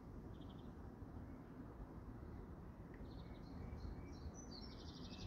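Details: Birds in an English garden: short, high, thin chirps, a brief series early on, then more frequent twittering notes over the last two seconds, over a steady low rumble of background noise.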